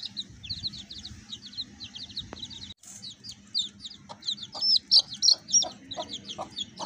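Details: Baby chicks with a hen: rapid, high, thin peeping, many short notes in quick succession, with a brief break near the middle, over a low background hum.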